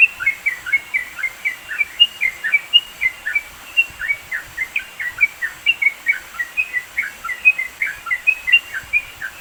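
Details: Sooty-headed bulbul song used as training material for songbirds, recorded in the mountains of East Java: a steady run of short, bright whistled notes, rising and falling, repeated about twice a second over faint steady background hiss.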